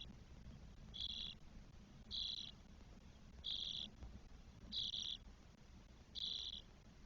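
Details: Four nestling spotless starlings, day twelve, Spain, 1 June 2022; five harsh, buzzy bursts of under half a second each, spaced about 1.2 seconds apart, over a low murmur.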